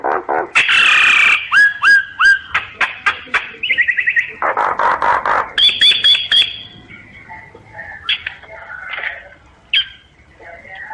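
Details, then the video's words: Common myna singing: harsh buzzy bursts, then a run of short rising whistled notes and clicks, a broad rasping phrase, and softer chattering and gurgling notes toward the end. "Tiếng chim sáo, sáo nghệ hót chuẩn"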